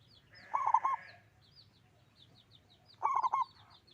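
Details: Two throbbing, low coo phrases from a big-voiced local zebra dove, spaced about two and a half seconds apart. Small birds twitter with high, slurred notes in the background.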